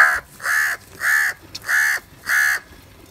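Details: Crows fighting and calling for food: five loud, harsh caws, each about a third of a second long, repeated at an even pace roughly every 0.6 seconds, with faint background noise between them.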